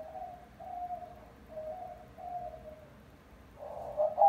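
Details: A female pet white-winged dove, rescued as a nestling, coos in a quiet room: a run of low, hooting coos in a steady rhythm ending in a louder, rougher coo. She now coos all day and answers wild doves.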